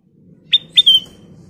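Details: Ruby-throated bulbul giving three loud whistled notes in quick succession, the last drawn out and falling, over a steady low hum.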